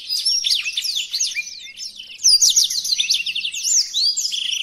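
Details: Blackthroat singing, recorded as a model for teaching song to other birds: quick varied warbling that grows louder partway through, ending with a steady buzzy trill.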